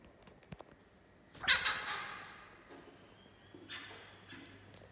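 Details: A thirsty White-browed babbler perched at Griffith Pioneer Park Museum gives harsh, scratchy bursts, one loud rasping outburst followed a couple of seconds later by a softer one, with a few faint ticks before.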